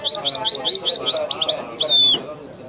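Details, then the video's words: European goldfinch delivering authentic Wedani-style song: a quick, evenly repeated series of bright high twitters speeding into jangling notes, ending in a long, clear, descending whistle, with low background murmur. "chant de chardonneret تغريد الويداني الأصيل"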